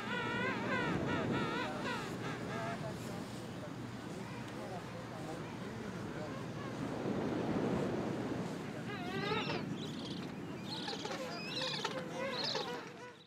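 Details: Gentoo penguins (Pygoscelis papua) at Gold Harbour, South Georgia, in February 2022 give harsh, braying calls in rapid pulsed bursts at the start and end, over steady wind and surf.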